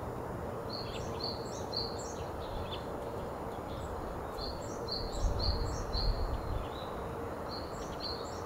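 Japanese Tit giving thin, high, quick notes in short bursts of several, repeated through the clip over a steady low rumble.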